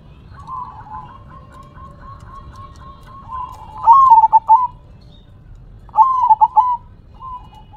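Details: Zebra dove in manggung song, nodding its head as it sings: two bright, stuttered coo phrases of quick pulsed notes, preceded by a long run of faint background cooing.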